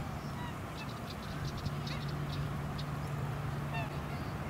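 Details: Short, bugling honks from a black swan at Lake Monger in Perth, Western Australia, filmed in March 2018, heard near the start and again near the end over heavy wind rumble and suburban background.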